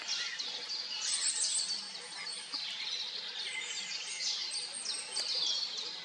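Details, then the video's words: Eurasian siskins, a pair, feeding on tiny black insects along a pond's edge in dark, misty early morning; continuous shrill twittering and short high-pitched chirps overlap without pause, over a faint low background hum. "Czyże / Siskins"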